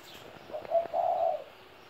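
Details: A 17-year-old spotted dove gives one low, mellow cooing phrase: a short soft note, a brief coo, then a longer drawn-out croon that fades at the end. A faint higher chirp sounds in the background.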